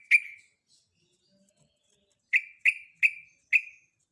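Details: Female sooty-headed bulbul in breeding condition calling a male: one sharp clipped chip, a quiet gap of about two seconds, then four similar bright chips spaced roughly half a second apart.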